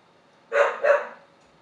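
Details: Pet gull kept indoors, on its third day in a home where it stays in the bathroom, begging for food: two harsh, raspy calls in quick succession, the second slightly longer, against a quiet room.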